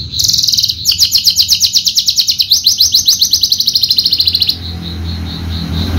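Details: Javan Horsfield's bushlark, a caged contest singer, pours out a bright buzzy opening note followed by a sustained rapid rattle of high pulsed notes, slightly descending, then a few soft repeated tones.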